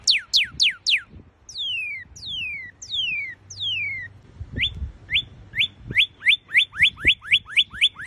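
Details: Northern cardinal song: four fast steep downslurred whistles, then four slower drawn-out descending whistles, then a long run of quick rising chip-like notes repeated about twice a second, with faint background knocks.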